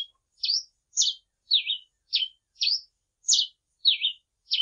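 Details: Grey pileated finch song: a steady string of short, bright, slurred chips, about two per second and varying slightly in shape, high-pitched against a silent background.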